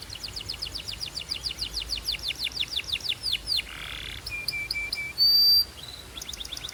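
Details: Belgian canary song with a steady series of quick, rising-falling sweeping notes at about five per second, then a brief buzzy note, thin pure whistles and a sudden loud, sharp high tone.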